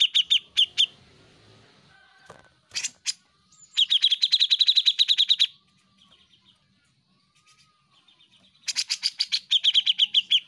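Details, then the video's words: Grey-cheeked bulbul (cucak jenggot) in lively song for a songbird master track: rapid chirp runs separated by pauses, with harsh raspy notes between phrases and a final fast run of high chirps. "Cucak Jenggot Gacor Masteran burung ocehan"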